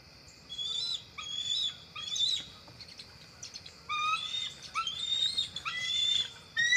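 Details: Adult bald eagles arriving at their nest tree just before dark on October 4, 2023, recorded by a field camera; bursts of high, wavering, slurred whistles and squeaky piping notes come in irregular runs, over a steady insect hum.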